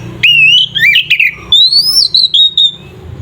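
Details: Song of an Oriental magpie-robin (kacer), 'ngeplong' style, used to provoke other magpie-robins to fight: a long climbing whistle, tumbling slurred notes, then a drawn-out rising whistle that fades into soft low hum.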